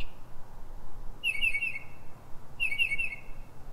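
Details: Northern mockingbird singing at night in Silver Spring, Maryland, USA, in pre-dawn hours around 3:44 am: two short bursts of bright whistled notes with a slight downward slide, about a second and a half apart, over quiet low background hum.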